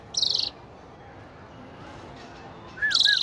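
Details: Asian pied starling chirping: two harsh, raspy bursts a few seconds apart, the second followed by a couple of soft slurred whistled notes, against a steady low murmur.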